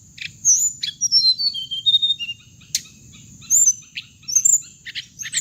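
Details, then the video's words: Trapping lure recording of a hồng hạnh bird for loudspeaker playback: bright whistled notes sliding downward in a short descending run, sharp chirps between, with a constant thin high tone and low background rumble. "tiếng chim hồng hạnh âm thanh để bẫy loa"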